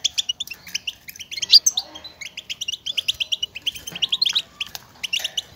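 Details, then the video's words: Stimulating goldfinch chatter, which birds use to call to one another and signal their presence: fast, steady streams of sharp high chirps and twitters, nearly unbroken. "بتبتة الحسون, لمساعدة الذكور على التغريد و التزاوج"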